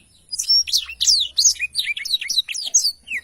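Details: Blackthroat in full rolling song, a fast unbroken chain of high, slurred whistles and sharp chirps rising and falling in pitch.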